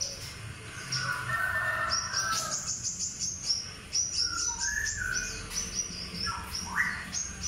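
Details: An albino sooty-headed bulbul with white plumage and red eyes gives short, mellow whistled phrases that rise and fall, over a dense backdrop of rapid, high, thin chirps from other small birds.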